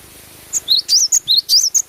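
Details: Cinereous tit in lively natural song: a brief, fast series of piercing high notes, clipped pips paired with upward-sweeping whistles, rising in loudness.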